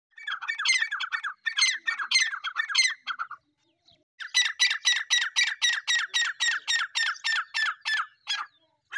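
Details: Black francolin calling: two short bursts of harsh, grating, squawking notes, then a long, fast, steady series of rasping notes at about four per second, with brief gaps between phrases.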